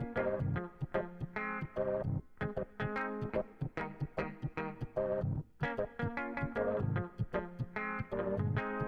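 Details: Plucked guitar and bass music with strong rhythmic strums and no animal voices.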